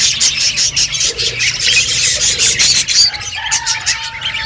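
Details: Feeding budgerigars keep up a rapid, scratchy high chatter, broken by short whistled notes and a brief steady tone near the end.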